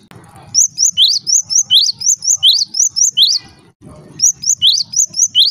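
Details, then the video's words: Java sparrow calling to provoke other Java sparrows into calling: rapid high chirps in a steady run, each note short and rising, a short break near the end, then the chirping starts again. "cukup DENGARKAN SUARA INI, gelatik lain LANGSUNG RIBUT"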